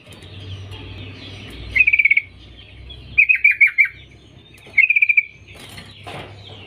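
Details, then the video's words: Calling female sooty-headed bulbul, used to attract males: three separate bursts of rapid, tightly spaced chattering notes, each lasting under half a second, over a faint steady hum. "Trucuk BETINA Memanggil Jantan PANGGILAN AMPUH"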